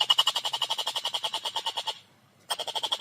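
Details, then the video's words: Rapid rattling chatter of a collared kingfisher (tengkek buto): harsh, grating pulses of even pitch delivered very quickly for two seconds, a brief silence, then the series starting again. "Burung Tengkek Buto Gacor Suara Jernih Speed Rapat"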